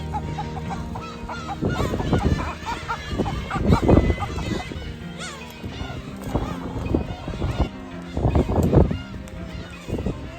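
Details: Black-tailed gulls at their breeding colony on Kabushima Island shrine, Hachinohe, Aomori, Japan, in breeding season, give harsh, nasal, mewing calls in overlapping bursts every few seconds over a low, steady musical drone.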